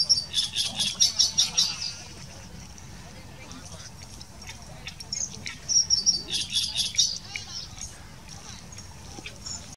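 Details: Great Reed Warbler at Hoofddorp, Netherlands, on 3 May 2020, giving two bursts of harsh, grating, rapidly repeated notes about five seconds apart, over a steady low rumble.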